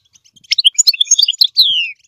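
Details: A pet goldfinch sings to teach its chicks: a quick, tinkling twitter of high chirps and trills ending in a drawn-out, slurred note that falls in pitch, with no other sounds.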